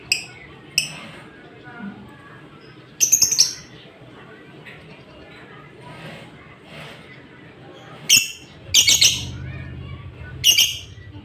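Lovebird giving short, shrill, screechy chirps in scattered bursts, a few close together, with a faint background murmur between calls.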